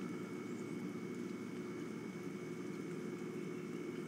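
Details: Continuous engine drone, like a passing aircraft, with a thin steady whine held over it; no animal sound.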